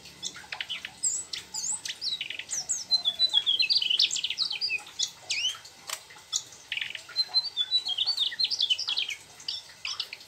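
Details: Mugimaki flycatcher singing continuously in a rolling style that works in imitated trucuk phrases: a dense, fast run of high chirps, sharp whistled notes and short trills, with slurred rising and falling phrases and brief pauses.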